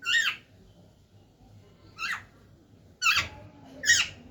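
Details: A talking parrot gives four brief, bright squawking notes with downward-curving harmonics, spaced irregularly: one at the start, one after a long gap, then two close together near the end.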